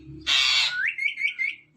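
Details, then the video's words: A pet ringneck parrot gives a brief harsh squawk, then a wavering, high whistled phrase that rises and dips in quick little steps. "Ringneck Parrot Talking"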